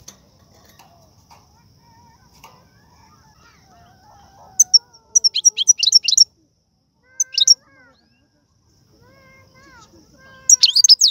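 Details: Algerian goldfinch song with the prized tiwawati, galoubi, serfati and mandolin phrases. Quiet low twittering comes first, then bright high chattering bursts with pauses, and clear rising and falling whistled notes toward the end.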